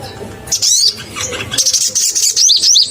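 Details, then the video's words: Crimson sunbird singing energetically as a lure for other sunbirds: short high sweeping notes, then a quick run of sharp up-and-down whistled notes near the end over a faint low hum. "SOGON GACOR BUKA PARUH bikin naik emosi semua burung SOGON - Pancingan SOGON"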